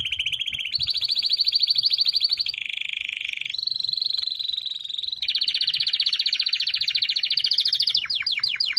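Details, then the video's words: Canary song built from successive rolling trills, each at a different pitch, some buzzy and dense, ending in a few rapid falling sweeps, with faint low background noise. "chant canaris تغريد الكناري singing canary"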